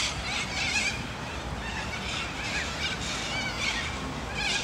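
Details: Large, loud wild flock of Australian native Sulphur-crested Cockatoos and Corellas that gathers in Sunbury, Australia; repeated harsh, raspy screeches overlap continuously, with other birdsong in the background.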